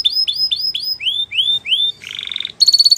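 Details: Spanish Timbrado canary singing: a run of rising whistled slurs repeated about four per second, then slower upsweeping notes, a buzzy rattling trill and a bright metallic ringing trill at the end.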